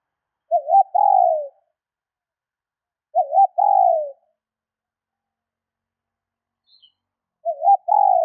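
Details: ['Spotted dove hen giving three two-part coos at roughly three-second intervals to stimulate males, a short warble then a longer falling hoot, with a faint brief click between calls.']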